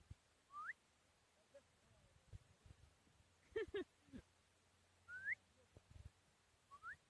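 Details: Hand-reared four-year-old Chukar partridge, Tajikistan, 2021: three upward-slurring whistled notes spread across several seconds, with a brief lower harmonic vocal sound and soft knocks in between.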